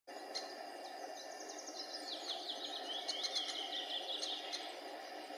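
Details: Lesser spotted woodpecker chicks in their nest cavity, being fed, give rapid, high, scratchy chittering begging calls, about two to three a second, over a steady background hum; Kośmidry, Poland, May 2020.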